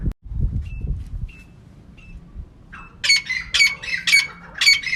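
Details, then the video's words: A female francolin, recorded for use in catching birds. A few faint, short, thin tones come first, then from the third second a run of loud, harsh, rasping notes repeated roughly twice a second. "Female Teetar ka clear and saaf awaz"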